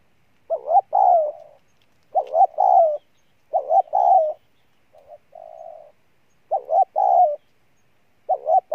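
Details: Vigorous decoy spotted dove repeating loud double coos about every one and a half seconds, each a clipped rising note then a fuller wavering one, with one soft quiet coo between them.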